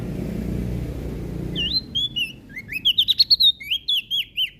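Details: Prinia in energetic song, said to rile other birds: after background rumble, a lively run of twisting whistled notes and rapid sharp chips, repeated several times per second, rising and falling.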